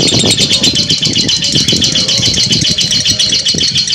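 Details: Lovebird in long ngekek chatter: a continuous stream of shrill, rapid, pulsing chirps, with knocking and rumbling noises scattered beneath throughout.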